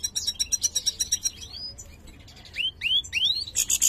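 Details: European goldfinch, mutated and of the major form, singing in a manner described as poor; a rapid, even trill of high clicks gives way to a few sliding notes, three loud rising whistles, and closing twitters.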